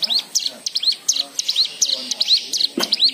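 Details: White-eye lure song for prompting other birds to sing: a series of high, arched chirps, each sweeping up then down, repeated more than once per second, with a faint lower note near the end.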